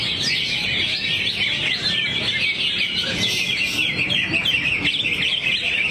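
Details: Greater green leafbird in full 'buang materi' singing, crouched low: a rapid, unbroken stream of high chirps, slurred whistles and trills that barely pause for breath.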